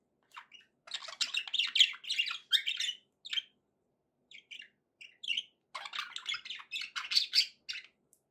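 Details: Contented budgerigars kept as pets, warbling and chirping in two busy bursts of scratchy, buzzy notes split by a few isolated chirps.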